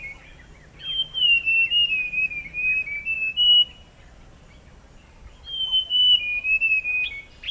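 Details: A forest scrub robin, a secretive resident of evergreen lowland forest, sings two clear, high whistled phrases of sustained notes stepping slightly downward, separated by a quiet pause; recorded 20 August, place given as "Tiwa".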